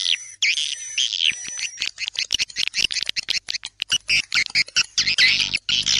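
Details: Swiftlet tarik senja dusk call mix, made as a lure: a buzzy trill at the start, then rapid choppy chirps in short bursts, with a faint thin whistle running along the top.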